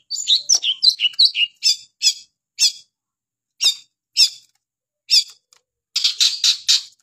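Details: Long-tailed shrike song: a fast jumble of squeaky, twisting notes, then widely spaced harsh, rasping squawks, ending in a rapid burst of grating chatter.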